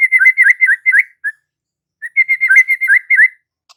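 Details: White-rumped shama in lively song: two bursts of quick warbled whistles, each a run of looping notes repeated rapidly, separated by a brief silence.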